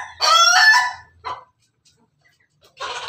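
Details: Ayam Ketawa rooster, red, on top of its cage, crowing: one loud, rich, harmonic crow lasting under a second, a short extra note, silence, then a fainter rough burst.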